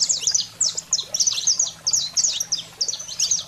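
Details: Saffron finch song in heated 'fogo selvagem' style, for stimulating canaries. Loud, rapid clusters of high, sharp chirps and downslurred notes repeat roughly every third of a second, with a light low hum behind.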